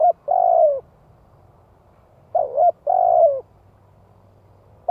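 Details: Calling spotted dove, kept as a decoy to lure other doves, 'giọng hạp' voice. Long buzzy coos sliding gently downward, two per phrase, with a dip-shaped note between phrases and a pause of about a second.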